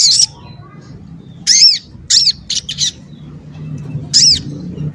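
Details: Sogon ontong, or crimson sunbird, a small bird prized for dense, sharp, varied singing. Scattered sharp high chirps and a quick double note stand out over a low background hum.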